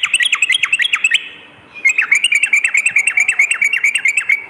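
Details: Lively sooty-headed bulbul song used as a lure, for morning and night: bright bubbling notes in a fast run, a half-second pause, then a denser burst of quick repeated chirps.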